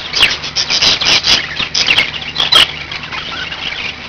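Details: Close, loud pet budgerigar chatter: a quick burst of harsh squawks and scratchy chirps in the first two and a half seconds, then quieter warbling, with a faint hum underneath.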